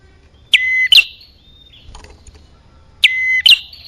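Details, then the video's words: Lure sound of the bar-winged prinia for drawing in male and female birds: two loud paired notes, each a sharp rising flick into a held high whistle, repeated after a quiet pause. "Suara pikat burung kecil paling ampuh | Anti Gagal Khusus Prenjak Atas Betina Jantan"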